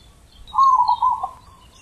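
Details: A single zebra dove song phrase: a deep, sustained, bubbling coo that wavers and trails off after about a second, over quiet background.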